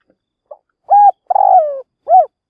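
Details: Decoy spotted dove cooing to provoke wild birds toward a trap; one clear phrase: faint pip, short steady coo, longer slurred descending coo, then a quick arched coo to finish.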